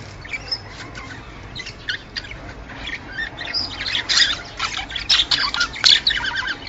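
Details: Male budgerigar song intended to excite birds to mate, starting faint and sparse, then building into louder scratchy chatter of clicks, chirps and squeaks.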